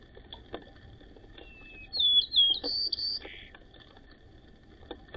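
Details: White-crowned sparrows chirping over pecking order, who pecks first: a brief burst of thin, high chirps and twittering notes ending in a short buzzy note, over faint, irregular tapping clicks.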